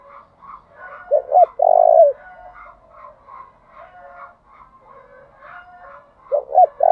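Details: Captive decoy spotted dove cooing to draw wild doves, switching song patterns continuously in the 'thúc' style. A strong low phrase of two quick notes and a sustained coo, then quiet murmuring and another phrase beginning at the end.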